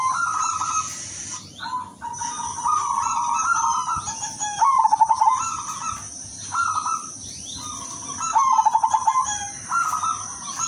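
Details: Silver zebra dove with a melodious voice, used as a lure and for therapy, repeats cooing phrases: bright drawn-out tones followed by rapid staccato rolls, several phrases in a row over a constant high-pitched hiss.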